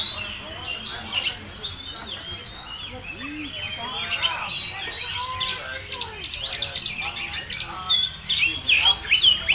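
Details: Kacer, or oriental magpie-robin, delivering "full materi" song, a quick stream of varied twittering notes that builds toward loud sharp whistled phrases near the end.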